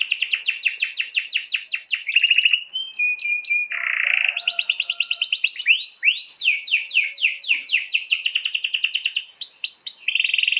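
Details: Canary giving a long rolling master song used to tutor canaries that stop singing or are hard to breed: rapid repeated high trills, a steady whistled note, a buzzy roll, then more fast rising tours with no other sounds.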